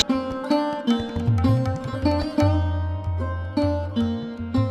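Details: Plucked sitar music with resonant drone strings and rhythmic melodic phrases, no animal sounds present.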